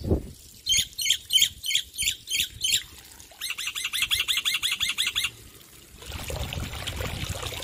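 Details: Loud male black-winged myna: a series of harsh, squawking notes repeated roughly every third of a second, then a faster run of shorter strident notes, ending in a hissy, noisy stretch.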